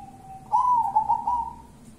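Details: A local wild zebra dove sings in the kuntilanak style: a faint steady tone that swells into a loud, wavering, warbled coo, then settles back to a soft, even note.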